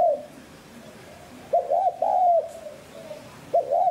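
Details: Spotted dove in the 'giọng hạp bổi' style used to excite decoy birds to coo: a low, husky phrase of two quick notes and one long rounded coo, followed by the start of another phrase near the end.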